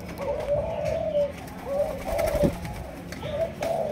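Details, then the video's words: Two-month-old Malaysian spotted dove of the 'chiêu gù chạy' cooing line, a captive-bred bird, giving soft low coos in smooth drawn-out phrases, with short pauses between them, over a quiet indoor background. "Cu Gáy Malaysia, Dòng Chiêu Gù Chạy"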